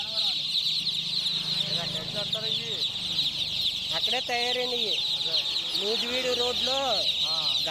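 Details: Chicken chicks peep in a steady, crowded high-pitched chorus beneath lively men's talk, which grows prominent in the second half.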